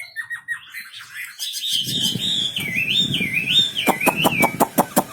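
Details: Singing wambi bird gives a looping, wavering whistle after soft chirps, while a series of sharp clicks or taps sounds toward the end.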